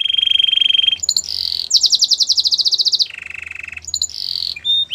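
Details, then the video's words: Canary song for training and wooing other canaries: a held buzzy tone, a bright rapid trill, a lower drawn-out buzz and short high notes over faint hiss. "Fantastic canary song to woo all the canaries"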